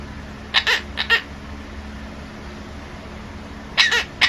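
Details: Pet monk parakeet imitating its owner's cough: two groups of short, harsh, broadband coughing bursts, each group of three to four quick hacks, separated by about three seconds of quiet with a steady low hum.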